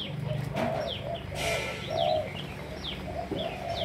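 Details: Clear, low, hollow coos in a rhythmic run from captive spotted doves of Malaysian lines, overlaid by a brief noisy burst and sharp high downward chirps from other birds.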